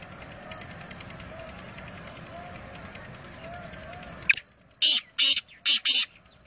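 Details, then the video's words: Wild black francolin calling at Nawabshah: after several seconds of low murmuring background noise, a sharp note followed by four rasping, evenly spaced harsh notes rings out clearly. "Kala Teeter Wild (Voice Only) | Black Francolin | Black Partridge"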